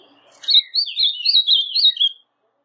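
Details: A kept brown-plumaged blue-black grosbeak delivers a brief, sweet warbling phrase of linked whistles, used to get a quiet azulão singing. A faint soft rustle comes just before the song.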